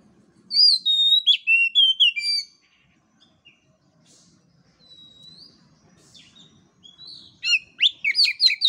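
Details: Master and lure song of an Oriental magpie-robin for training birds with undeveloped voices: a burst of varied, sweet whistles with slurred rising and falling notes, a pause with soft distant chirps, then a dense chattering phrase.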